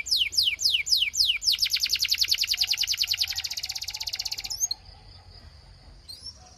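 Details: Belgian canary gives several strong descending whistles, then a long accelerating high trill that stops suddenly, followed by a faint thin sustained note.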